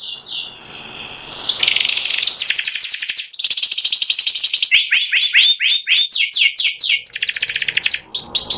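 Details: White panda canary ready for contest, ngeriwik song of alternating buzzy trills and rapid downslurred chips, varying pace across the phrase.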